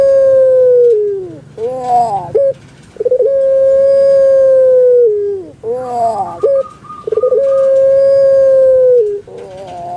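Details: Pet puter pelung (Barbary dove) from Java, Indonesia, giving its drawn-out song: long level hooting notes that sag at the end, each followed by a rough gurgling break, repeated about every four to five seconds.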